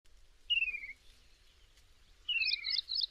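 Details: Slender-billed babbler calling in Kaziranga National Park: two clear whistled notes sliding downward, about a second and a half apart. The second is followed by a short burst of buzzy, higher chirps. Quiet background.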